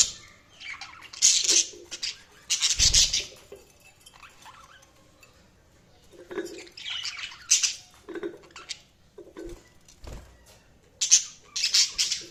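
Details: Budgerigar chirping in a series of scratchy, high bursts, some grouped in quick pairs, separated by brief quiet gaps across about twelve seconds.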